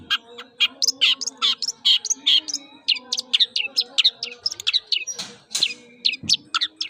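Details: Male white-rumped shama singing vigorously, a varied pentet fill-in song: rapid bright chirps and whistled notes, some sharply rising or falling, pouring out about two per second with brief buzzy bursts and faint low background hum.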